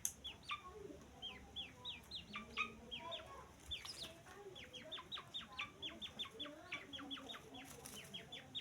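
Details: Continuous run of high, short, descending peeps from a grey francolin chick, fairly even in spacing, over a noisy background with faint lower sounds.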